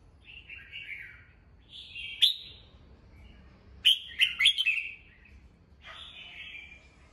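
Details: Morning song of a kept red-whiskered bulbul, used to train and rouse other birds: short warbled phrases separated by pauses, a loud cluster of sharp clicks and chirps near the middle, ending on a gliding whistle.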